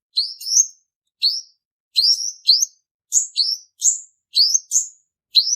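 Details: {'caption': 'Sharp, upsweeping chips of a male purple-throated sunbird, sung as a trapping lure; paired and single notes at irregular intervals, some higher, in clean quiet surroundings.'}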